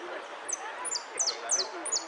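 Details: Amarillo (saffron finch) in repique song at a contest in Monte Grande, dated 03 11 13: five piercing high notes, each dropping steeply, evenly spaced about a third of a second apart, with crowd talk beneath.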